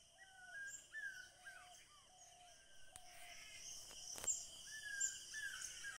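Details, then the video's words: Early-morning bird calls: clear whistled notes, some level and some sliding downward, repeated at irregular intervals over steady high insect-like hums and a faint background tone. "Bird's sweet sounds in early morning"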